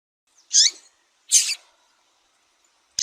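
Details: Female double-collared seedeater calling to excite males: two short, bright, squeaky chip notes close together, then a pause and the start of another note.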